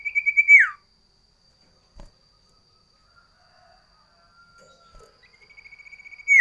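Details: Sooty-headed bulbul in a varied, loud song style for tutoring common ioras and luring wild birds: a long steady whistle ending in a downward sweep, quiet faint notes, then a rapid even trill rising into a final slur.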